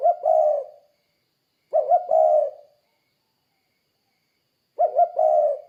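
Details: Three low, hollow cooing phrases from a spotted dove calling actively to lure other doves. Each has two short coos and a longer trailing coo, repeated at irregular gaps of roughly two to three seconds.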